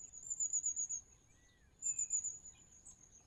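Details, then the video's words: Long-tailed tit gives very high, thin, sputtering 'tsee-tsee-tsee' contact calls in two short bursts, with fainter lower whistles between; these keep a flock in touch as it moves from tree to tree. "Long-tailed Tit Call"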